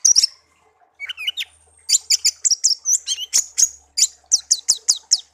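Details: Pet songbird raised from young, kept one year and tame, originally from a garden: a sharp opening note, then a long sequence of high, evenly spaced chirps and downslurred whistles, roughly four per second.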